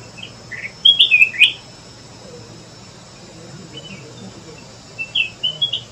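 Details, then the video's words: Flame-throated bulbul (Rubigula gularis) giving two brief bursts of quick, bright whistled notes, bending up and down, over a steady high insect hum. "The flame throated bulbul sound"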